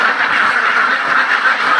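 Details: A farm flock of ducks produces constant overlapping harsh quacks, a dense and even chorus throughout.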